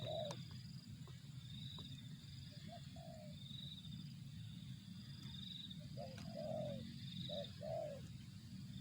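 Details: Spotted dove giving soft, low cooing phrases, sparse early on and clustered toward the end, over a steady rumbling background and a faint pulsing insect-like trill high above.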